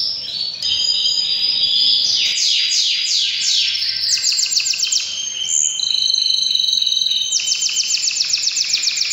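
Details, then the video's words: Powerful breeding-season canary song with cascading downward-sweeping notes, then fast even trills and a long high rolling tour, changing phrase every couple of seconds. "Canary bird most powerful singing during breeding season"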